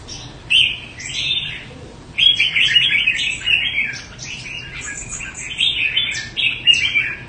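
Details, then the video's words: Quảng Nam Red-whiskered bulbul of the Đại Quang line, owned by a bird fancier in Vietnam, pours out rapid sweet whistled and chattering phrases after one opening note, singing almost without pause. "Chào mào tố chất Quảng Nam"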